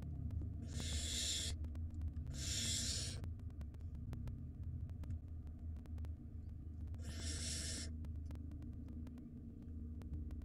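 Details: At a barn owl nest, young owls go hungry as a lengthy storm limits the parents' hunting. Three rasping, hiss-like screeches of roughly a second each sound over a steady low background hum.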